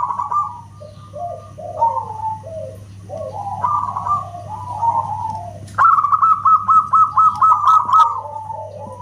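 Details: Zebra dove (perkutut lokal) song: soft, warbling lower coos in the first half, then a sudden loud, even run of about ten crisp whistled notes. A constant low hum sits underneath.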